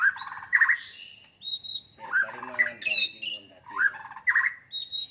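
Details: Fighting song of a white-rumped shama, used to anger and provoke opponents: clear ringing whistles alternate with scratchy, buzzy chatter notes in quick bursts.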